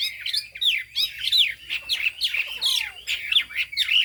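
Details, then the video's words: Hwamei song, 'cao cầu' style: rapid, sharp whistled notes that sweep down then up, repeated almost without a break, with one long slurred downward whistle in the middle. "Họa mi hót cao cầu"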